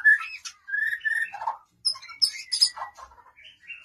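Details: White-rumped shama song: varied phrases of clear whistles, short slurred notes and high sharp chips, changing pitch from phrase to phrase with brief gaps between.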